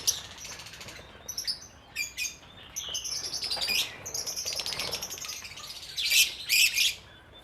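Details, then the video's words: Lovebird colony kept together in a cage, several colour varieties such as lutino, albino and pied; scattered sharp high chirps and squeaks over a hiss, then louder shrill bursts near the end, with faint wing flapping. "Love Bird Part 2 : The Colony"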